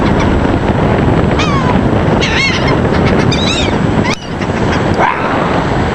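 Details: Seagulls being fed: several wavering, yelping calls with rising and falling inflections, scattered through the middle seconds, heard against a strong, steady roar of wind and surf.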